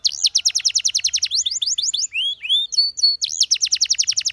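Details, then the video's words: Canary song used in training: fast rhythmic trill of sharp downward-swept notes, a softer stretch of curved whistles and sliding notes, then the rapid trill resumes. "The Best Canary Singing Video Ever!"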